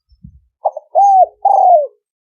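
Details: Spotted dove giving a thổ sấm đồng style coo, a lure meant to attract males and females: one phrase of a brief rough note, then two drawn-out, gently descending coos, after a few soft low thumps.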